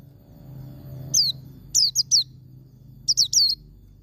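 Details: White-eye singing the 'ngalas' wild-style song meant to provoke caged birds into singing: a single high chirp, then a burst of three sharp descending notes, and later two more, very high and thin, with soft background hum.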